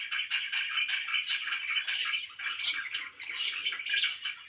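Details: Pet budgerigars chirping in the morning indoors, a dense, continuous chatter of rapid scratchy warbles and twitters packed together with no pauses.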